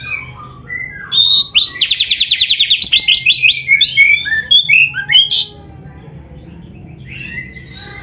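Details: Oriental magpie-robin in vigorous 'gacor' song full of mimicked 'isian' phrases, used as a master recording to train caged birds: a fast run of bright repeated trill notes, then varied whistled and buzzy phrases, fading out after five seconds.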